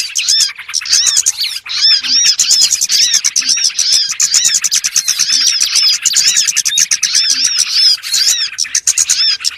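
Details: Lure recording of small birds, played to draw birds in for trapping: continuous bright chattering from many birds, with fast repeated arched chirps and sharp ticks layered throughout.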